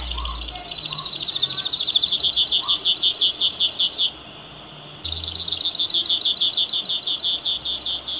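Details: Long, fast trills of high metallic notes from a singing grassland yellow-finch, broken by a one-second silence before another trill. Faint low thumps are heard early on.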